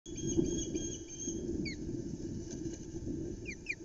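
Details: Osprey (Pandion haliaetus) at a nest at Loch Arkaig, startled by a flapping flounder, gives a few brief, sharp, down-slurred chirps near the middle and at the end, over constant rustling and flapping noise and a faint steady whine.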